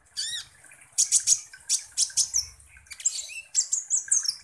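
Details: Kolibri ninja sunbird singing as a lure for other birds; loud clusters of high, harsh chirps in rhythmic bursts about every half second, with a faint low hum beneath.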